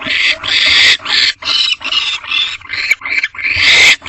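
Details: Barn owl pair in nest box Owl Box C at 9:11 pm, male joining the female to mate without bringing food; harsh, hissing screeches in loud broadband bursts, about eight in quick succession, with brief gaps between.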